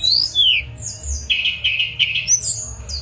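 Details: Mangrove blue flycatcher: high slurred whistles followed by buzzy warbled notes, with a low background rumble throughout.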